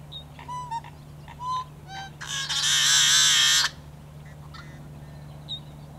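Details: Yellow-headed blackbird in Great Salt Lake wetlands during summer: a few short clear whistled notes, then a loud harsh rasping buzz lasting about one and a half seconds, over a low hum.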